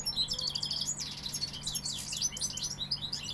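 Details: European goldfinch of the Sevillian type in full song: a dense, fast stream of high liquid twitters, trills and sweeping chirps delivered without pause for over three seconds, with a faint steady low hum underneath.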